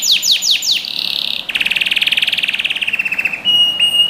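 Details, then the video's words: Canary singing for training young birds: four sharp downward sweeps, a short buzzy phrase, then a rapid pulsed trill that slows and drops slightly in pitch before ending on a level tone. "Canary Singing | Melodies Canary Bird Song"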